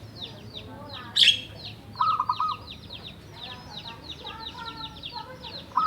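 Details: Captive zebra dove, a local wild-caught bird from Java kept seven years, singing freely. Short runs of quick rolling coos come twice under busy, repeated high chirps from other birds, with one loud sharp chirp early on.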